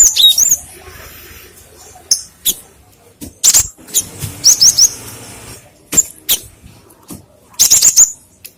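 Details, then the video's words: Cinereous tit song used as a lure and for training other birds: thin, very high chirps in short bursts of two to four notes, separated by pauses and broken by loud clicks and rustling. "The sound of a rock sparrow for fishing and mastering/Suara gelatik batu untuk pancingan & masteran"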